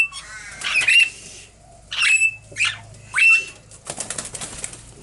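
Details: Baby Princess parrots in their cage, December 2017, beginning to eat sprouted seed, spinach and corn: three or four harsh, rasping squawks with whistled streaks, followed by a quick burst of fluttering wingbeats.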